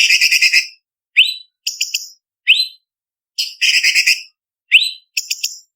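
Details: Blue-winged leafbird (cucak cungkok) singing a spicy 'tembakan' tutor song for contest birds: bursts of rapid, harsh high rattles alternating with short upslurred whistles and quick chips, separated by brief pauses, with no other sounds.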